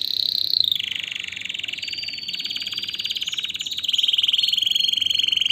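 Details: Canary song meant to stimulate males and excite females for mating and to tutor young birds: a long, continuous rolling trill that steps between higher and lower pitches without a break.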